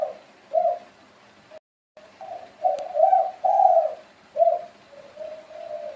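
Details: Spotted dove calling: low, soft coos, a short note, then a longer rolling coo and further mellow coos, over a faint hissy background.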